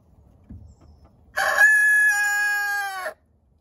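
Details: Easter Egger cockerel raised from a young pullet in a city backyard, just beginning to crow; a soft thump, then a single loud, strained crow with a rough opening and a long even held note, ending abruptly in quiet.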